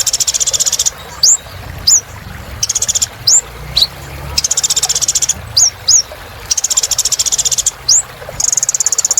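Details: A Kolibri ninja sunbird sings its energetic 'gacor' song, played to get silent birds singing again. Long, fast, high-pitched buzzing trills alternate with lone sharp upslurred chirps throughout.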